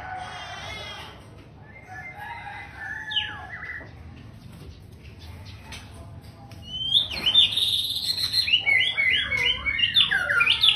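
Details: Captive male long-tailed white-rumped shama. After several seconds of background hiss and faint notes, a loud burst of rich, warbling song begins, with quick slurred whistles and twisting phrases.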